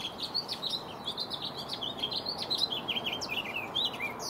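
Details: Male house finch courting a female with song and dance in a backyard in the Sierra foothills, California, on 10 April in spring: a rapid, jumbled, high, continuous warble of bright chirps and slurred notes over a soft hiss.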